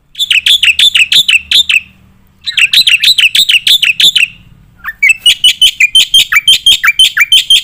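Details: Gacor black-winged myna, full nembak fill song for tutoring competition birds: two bursts of rapid buzzy chatter separated by a pause, then a long dense run of chattering notes with dipping whistles and faint low hum.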